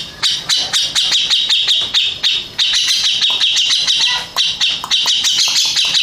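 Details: Rapid grating chatter from a first-place contest Grey-cheeked bulbul, steady runs of high scratchy notes broken by short pauses and a brief low whistled note.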